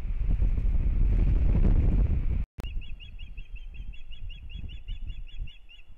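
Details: Osprey pair at a nest in Kurzeme, Latvia, opening the breeding season, April 2022: loud wind rumble, a short break, then an even, rapid series of sharp whistled notes, about four per second.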